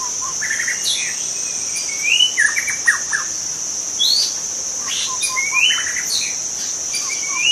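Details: Young wild white-rumped shama in forest, singing a varied run of clear whistled phrases: rising slurs, short chipping notes and quick falling trills at shifting pitches, some louder bursts. A steady high insect drone runs underneath throughout.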